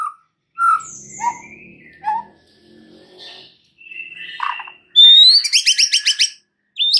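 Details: White-rumped shama song used as a lure to make a shama sing its full repertoire: scattered varied whistles and squeaks, then a rising whistle into a fast, evenly spaced high trill.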